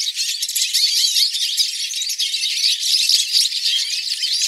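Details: Hooded siskins singing as a group in a live recording: an unbroken, high, rattling chorus of twitters, buzzy trills and thin whistles, loud and steady throughout.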